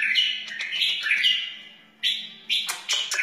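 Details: Wild bulbul singing, used to teach chicks and spur other bulbuls: short, rich warbled phrases around mid-high pitch, a pause, then three more bursts, over a steady low hum.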